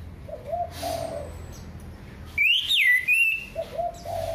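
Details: Orange-headed thrush song, used as a lure to prompt other birds to sing: one loud, clear whistled phrase that sweeps up and then drops, framed by softer, lower warbled notes before and after.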